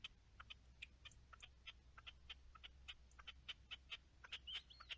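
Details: Partridge, recorded 10-03-21, giving rapid strings of dry clucking notes, some doubled, about five per second, closing with a brief thin whistle; low steady hum underneath.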